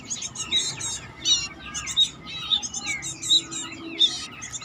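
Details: Home-raised batik-type Bar-winged prinia singing: sharp, high chirps and twittering bursts that repeat roughly every second, with a faint low murmur in the background.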